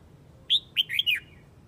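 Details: Single flock call of a Hue red-whiskered bulbul, Vietnam: a quick, bright phrase of four whistled notes, the last ones tumbling downward, given cleanly in a quiet setting.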